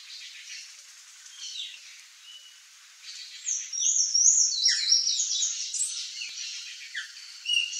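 A palm tanager gives a fast, squeaky jumble of high twittering notes that grows louder and busier after a quieter start. A faint background hiss runs underneath.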